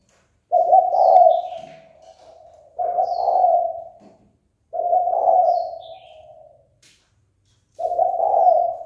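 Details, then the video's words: Spotted dove cooing to provoke fighting: four short, husky coo phrases repeated roughly every two and a half seconds, each swelling then tapering off. Scattered faint high twitters from small birds sound in the background. "Cu gáy chơi cực hay kích bổi đấu ngay!"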